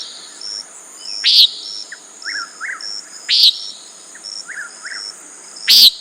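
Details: Common nighthawk giving three loud buzzy peents a couple of seconds apart, with soft rising chirps between them and a high steady insect hum.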